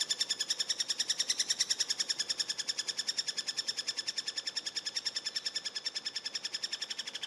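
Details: Eurasian three-toed woodpecker chicks begging during feeding give a fast, steady, high-pitched buzzy chatter of rapid pulses, several each second without pause.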